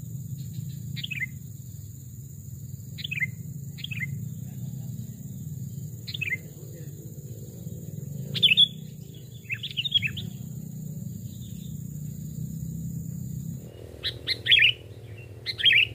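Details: Caged sooty-headed bulbul decoy, one of a small and a large type, singing in a forest. Brief falling chirps every second or two grow louder toward the end, over a steady low drone that shifts partway through.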